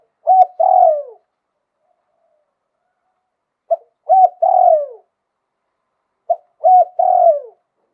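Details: Zebra dove from Thailand singing in the lio tan style, praised as a sweet, wild-sounding voice: three phrases about every three seconds, each a short clipped note, a hooked note, then a longer rolling, falling purr, in silence.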